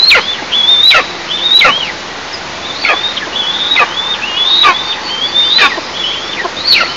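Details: Eastern imperial eagles at their nest, filmed by a nest camera in an oil and gas region, 11 July 2024 at 09:14; thin whistled calls rise then drop sharply, repeated about once a second, with faint wind-like hiss.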